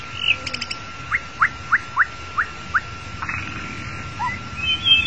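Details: Long-tailed white-rumped shama song played as a lure to trap the bird: a run of about seven short, clear upslurred notes, evenly spaced, followed by a few higher chips and twitters.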